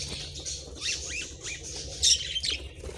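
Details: Pet budgies eating their favourite treats give short curving warbled notes in a quick chatter, with a brighter chirp near the end over faint clicking.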